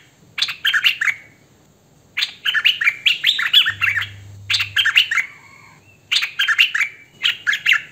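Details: Hwamei songbird, recorded on a phone or camcorder without background noise, delivering clusters of quick, bright, warbled whistles with slurred up-and-down notes, grouped in phrases separated by pauses of about a second.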